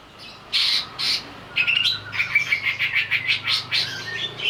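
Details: Agitated greater green leafbird singing, used as a lure to set off song: two short bursts, then a rapid, rhythmic string of sharp, chattering high notes with thin whistles woven through.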